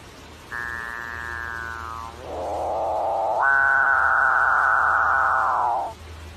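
A Capuchinbird gives a strange, drawn-out moan: a sliding nasal tone, then a harsh growl swelling into a long, steady, cow-like drone that fades abruptly.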